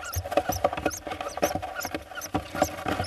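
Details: Eurasian hoopoe chicks, four in a nest box in Hungary in mid-June 2024, around the days of their ringing while preparing to fledge: thin high squeaks repeated irregularly over busy scratching and tapping clicks from the chicks moving.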